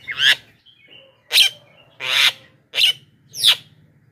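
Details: Javan myna lure call used to attract wild mynas: five loud, harsh, broadband screeches spaced about a second apart, each a short rasping burst, with faint whistled notes between them and a low steady hum underneath.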